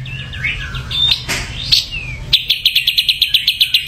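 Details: Ashy drongo with varied whistles, slurred and rising notes, then a brisk rhythmic train of bright repeated high notes, roughly four per second, over faint low hum.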